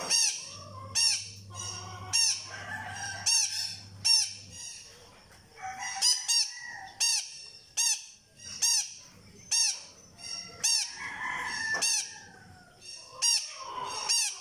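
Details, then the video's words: Blue-crowned hanging parrot (serindit) calling: shrill, sharp high notes repeated roughly once a second, with softer chatter between and a faint low hum at first. "Suara Serindit Memanggil"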